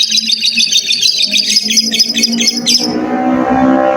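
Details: Lovebird giving a long ngekek chatter, meant as a master recording for young lovebirds: a dense, rapid, high buzzing trill of pulsed notes for almost three seconds, then breaking off into a lower droning hum.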